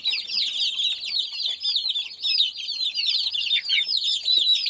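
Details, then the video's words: Crowd of young chickens giving a continuous stream of shrill, falling peeps, the calls overlapping so closely they form a steady high chirping wash. "Sound Of Chicks"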